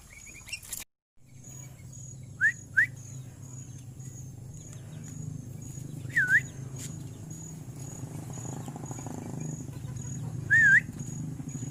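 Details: Tame, talkative sooty-headed bulbul giving short whistled notes that dip and rise. A close pair comes early, then single notes follow several seconds apart, over a steady high tone and low background hum.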